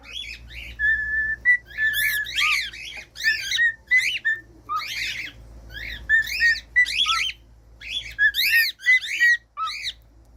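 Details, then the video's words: Cockatiel song for pet training: rapid, fairly regular harsh arched chirps, roughly three a second, interspersed with short level whistles, over a faint low hum. "15 MINUTOS DE CANTOS DE CALOPSITA: O Som Exato Para Fazer Qualquer Calopsita Aprender Rápido"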